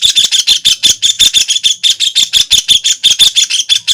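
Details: Harsh, high-pitched chattering from a white-throated kingfisher, a steady unbroken run of rapid rasping notes lasting the whole stretch.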